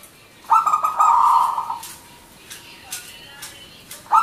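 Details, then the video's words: Local zebra dove (perkutut) singing 'manggung' style as a lure for other doves: one buzzy stuttered coo running into a steady trill, then faint background chirps before the next phrase begins. "Perkutut Manggung Gacor Gayer 100% lokal alam pikat merbok Turtledoves Zebradove"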